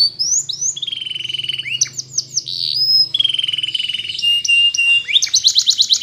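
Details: Morning song of a Spanish Timbrado canary used for training: rapid rolling trills, swooping whistled phrases and bright metallic notes in quick varied sequence, with a faint low hum beneath.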